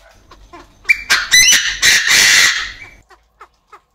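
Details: Chinese francolin crowing in an aviary, a call used as a decoy to stir up other birds: a loud, harsh burst of about four grating syllables over roughly two seconds, then a few soft clicks.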